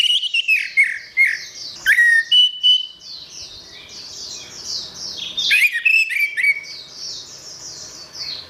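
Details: Orange-headed thrush song meant for training songbirds: rich whistled notes sliding downward, a held clear whistle, bursts of sharp clicks and quick trills, all over a steady, thin, high twittering.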